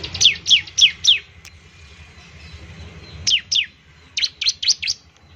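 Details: ['Bar-winged prinia song used to coax other prinias into singing: two bursts of four to five loud, sharp downslurred chirps, separated by a quiet pause of about two seconds.']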